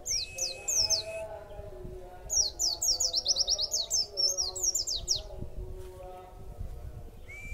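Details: Caged white-eye, given extra food, sings: a couple of high falling notes, then a long rapid chattering series of bright, slurred chirps lasting several seconds, with a soft steady hum in the background.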